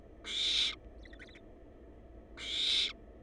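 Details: Barn owl babies, wild, inside a research nest box on a live camera; two loud, breathy, noisy screeches roughly two seconds apart, with soft faint chirps between them and a steady low hum.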